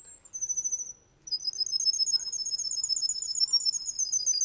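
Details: Male Russian canary singing: a held whistle, a brief pause, then a long, fast, bubbling high trill of rapidly repeated notes.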